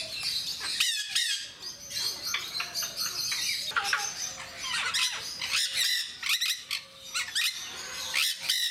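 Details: Jenday parakeets kept at Mysore Zoo give loud, shrill, harsh squawks in quick overlapping bursts, several birds calling through the whole stretch, with a few shorter chirps in between.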